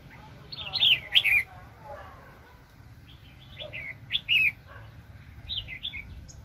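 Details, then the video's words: Red-whiskered bulbul used as a very aggressive trapping decoy, 2020. Loud, sharp warbled notes come in three bursts, with some lower chattering early on and a quiet background between phrases. "BẪY CHIM CHÀO MÀO ||BỔI CỰC SUNG"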